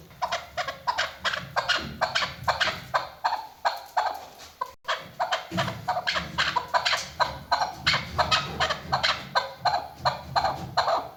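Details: Female chukar partridge giving a calling sound used in hunting: a long run of harsh, clucking chuk notes, about three per second, uneven in spacing and loudness, over a background hiss.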